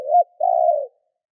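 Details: Spotted dove kept as a decoy, cooing to stir up and lure wild doves: a short, hooked low coo, a brief gap, then a longer steady mellow note. The background is silent.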